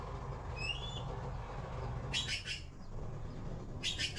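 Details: Young blue magpies in the nest awaiting food: two clusters of rough, raspy bursts, late in the recording, with a faint thin whistle from another bird near the start and a constant low rumble.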